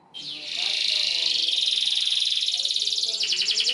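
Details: Canary singing a long trigger song for young canaries to copy: a sustained, very fast buzzy trill rolling on for seconds, turning into sharper clipped notes near the end, faint low sounds beneath.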